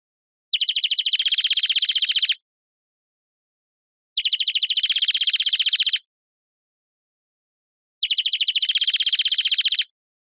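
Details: European greenfinch song: three identical buzzy, rapid trills, each lasting nearly two seconds, repeated about every four seconds with silence between.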